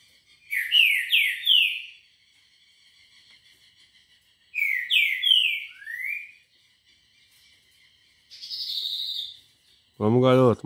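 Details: Morning song of a green-winged saltator, 6:30 a.m. on Monday 18 October: two bright, slurred whistled phrases with a rising final note, a softer buzzy note after, then a man's voice at the end.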